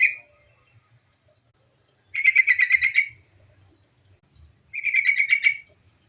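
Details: Call of a female yellow-vented bulbul, used as a lure so other bulbuls start singing. Two bubbling chatters, each about a second long, are separated by a quiet gap.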